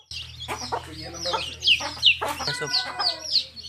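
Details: Baby chicks of a hen, described as colour chicks, in a field: dense high, downward-sliding peeps overlapping rapidly, with low clucking pulses from the hen between them and a steady low hum underneath.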